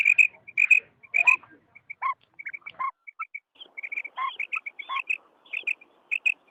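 A female quail gives quick, high, slightly nasal notes, singly and in short bursts of two to four, with uneven gaps. No other sounds stand out.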